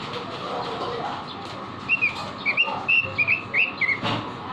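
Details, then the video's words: Caged robin singing vigorously in a training recording for songbirds: after a low, noisy start, a run of short, bright whistled notes comes at a quick, uneven pace, each slurred up or down, over a steady background hum. "Masteran burung robin gacor"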